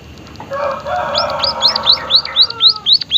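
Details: Singing white-headed munia from Indonesia: a soft, buzzy, droning phrase that runs into a string of about eight clear, high upswept whistles, each rising then dropping, repeated roughly four times a second.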